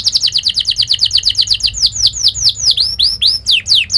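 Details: Singing canary, a training song for young canaries, Belgian canary type: fast rapid trill of repeated downswept high notes, slowing into longer separate swooping whistles toward the end.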